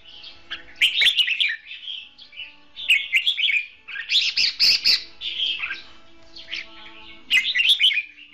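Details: Red-whiskered bulbul duelling as a trap decoy, giving dense chattering warbles and sharp chirps in overlapping bursts, possibly more than one bird, with a faint steady low hum underneath.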